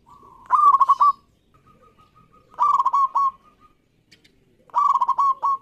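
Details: Local zebra dove, auditioned for its lively singing, giving three cooing phrases roughly two seconds apart, each a burst of fast stuttering notes closed by a longer coo, with faint soft notes between phrases.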